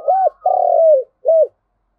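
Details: Spotted dove used as a ground decoy, calling the flock: three soft, low coos in quick succession, the middle one long and slightly falling, the outer two short and arched, with a clean quiet background.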